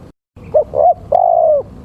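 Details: Male spotted dove call used to lure birds, a single phrase of two quick mellow coos followed by a long smooth coo easing downward, after a brief moment of silence at the start.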